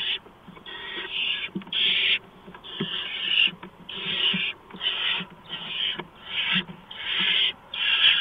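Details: At a barn owl nest at 4:26 AM on 6 March 2015, during delivery of a mouse: repeated harsh, noisy screeching hisses, roughly ten bursts of varying length, with occasional low thumps and rustles.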